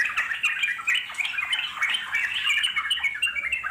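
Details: Wild Yellow-vented Bulbul song, a dense, overlapping stream of bright, bubbling, slurred whistles with no pause, like several birds chattering together.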